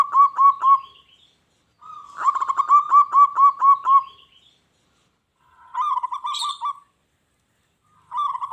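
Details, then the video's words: A local zebra dove in full song, provoking wild doves to call back and fight; four short bursts of fast, evenly spaced cooing notes with silences between, and a brief high chirp during one burst. "SUARA PERKUTUT LOKAL GACOR.BIKIN SALING SAUT EFEK SUARA PERKUTUT LIAR.JADI EMOSI"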